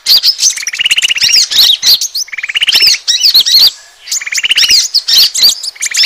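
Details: Asian glossy starling lure recording to attract birds: buzzy, finely pulsed trills roughly every two seconds, each followed by clusters of shrill slurred whistles, with a brief quiet gap midway.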